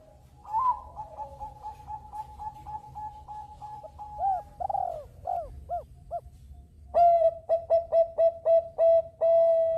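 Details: Bangkok-type zebra dove song meant to set other birds singing: an opening rapid even trill, then arched bubbling coos, then a loud series of short ringing coos and a long final note.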